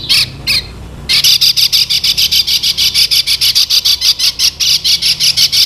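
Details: Singing lemon-bellied white-eye from Lombok, kept as a teaching lure for other songbirds: two harsh bursts, a brief gap, then a long unbroken string of quick, buzzy, rasping notes about three per second.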